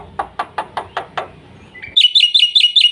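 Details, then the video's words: Black-winged myna, full-fill song for tutoring young birds: six evenly spaced low squawky clicks followed by a rapid, bright, rolling warble of repeated high notes. "suara burung jalak putih GACOR ISIAN FULL cepat untuk PANCINGAN dan MASTERAN jalak MUDA agar gacor"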